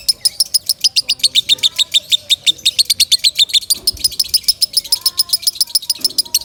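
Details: A lovebird sings loudly, a recording used to train other birds: long runs of sharp, high chirps about three or four a second, briefly broken, over faint rising whistles from other birds.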